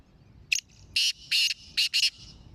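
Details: Black francolin of the Sindhi type: one full call phrase of a short opening note then four rasping, grating notes with uneven gaps, loud against a quiet background.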